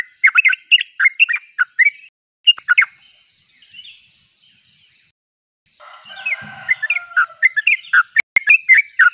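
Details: Yellow-vented bulbul in lively song: a quick run of bubbly chirps, a pause with soft twittering, then a rich burst of overlapping warbled notes and a few sharp clicks.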